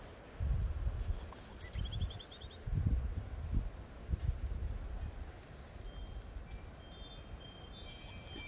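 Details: Eurasian blue tit in a garden in February 2021 gives thin, very high notes running into a short, quick descending trill, with fainter high whistles later over a steady wind rumble.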